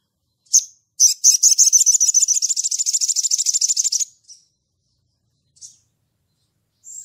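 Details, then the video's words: Sunbird calling out a rival in ngleper style: one sharp high chip, then a fast, buzzy, machine-gun trill of rapid repeated notes lasting about three seconds that gradually softens, with a few isolated chips after. "SOGON GACOR NGLEPER MEMANGGIL LAWAN"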